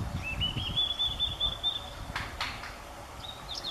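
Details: Blue-and-white flycatcher (Cyanoptila cyanomelana) song on a sunny morning, 3 June 2014, at Kobe Municipal Forest Botanical Garden: a long, thin, slowly rising whistle, then a few high, quick notes, over two sharp clicks and a low rumble.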